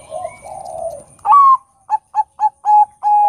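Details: Loud song of a Bangkok zebra dove, used to provoke other doves into singing. Low soft cooing leads to a strong rising-then-falling note, three short bubbling notes spaced evenly, and two long sustained coos.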